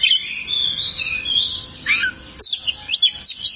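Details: Kacer (oriental magpie-robin) in a long training recording for caged birds: sustained high warbled whistling, then a brisk series of short sharp chirps repeated about twice per second.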